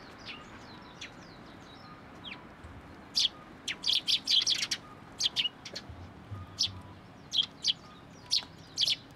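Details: Sparrows arriving at a fence post at a Tenmangu shrine to be fed, 21 April 2023: bursts of bright, high chirps in scattered clusters, some quick runs of several notes, over a faint low hum.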